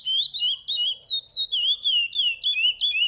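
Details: Curió, the chestnut-bellied seed finch, delivering a rapid string of sweet, looping whistles that rise and fall in a steady rhythm, roughly three phrases per second, in a quiet setting.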